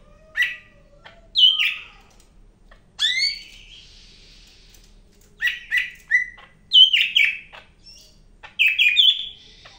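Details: Song of a greater green leafbird, Medan form, known locally as the yellow-headed green bulbul: scattered clear whistles and downward-sweeping notes, then a denser run of chirping, fluty phrases toward the end.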